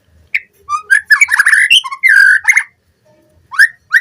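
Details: White-rumped shama song used as a lure to train captive birds: a tumbling burst of mellow, fluty, warbled whistles, a short silence, then two rising whistled notes.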